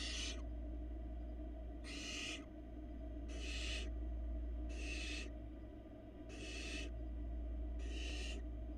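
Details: Six evenly paced rasping hisses, roughly one every one and a half seconds, from fluffy barn owl nestlings as the female feeds them inside a Florida nest box camera, with a steady hum beneath.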